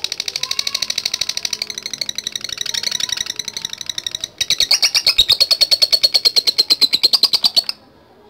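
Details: Lovebird 'latah gacor' song for calling rivals at bird contests: a quick, buzzy, high chatter, briefly cut at four seconds, then resuming louder and more ringing before stopping abruptly near the end.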